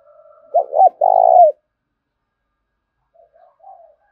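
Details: Spotted dove calling to incite fighting and quick cooing from a male: one loud phrase of two hooked notes and a long buzzy coo, then silence and a few faint soft coos.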